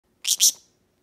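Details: Green-cheeked conure, a pet male perched on a Java tree, reacting as his foot is touched: a short sharp double chirp, two bright high bursts in quick succession, then silence.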